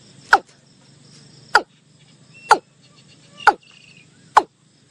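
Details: Watercock call: sharp, hollow knocking notes, each dropping quickly in pitch, repeated about once a second in a steady series over a quiet rural background with a faint low hum.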